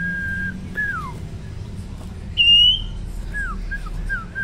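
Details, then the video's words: A male sirtu sings to provoke opponents: a steady whistle, a falling slur, a loud brief high whistle, then a run of short downward-sliding notes, with faint background hum. "sirtu gacor bikin emosi lawan"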